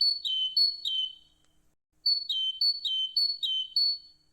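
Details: Great tit (Parus major), song.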